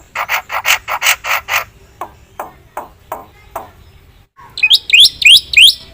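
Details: Black-winged myna singing energetically with a full, filled-in song: seven loud harsh buzzy notes in quick succession, a run of softer rasping notes, then a burst of sharp rising-and-falling whistled notes near the end.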